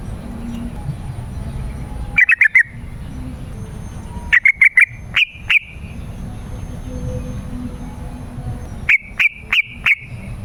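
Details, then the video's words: Yellow-vented bulbul lure recording, meant to call wild birds in forest or garden and to tutor caged bulbuls; short bubbly chirps in tight clusters of three to five notes, separated by pauses of about two seconds, over a faint low hum. "Suara Trucukan Pemikat gacor"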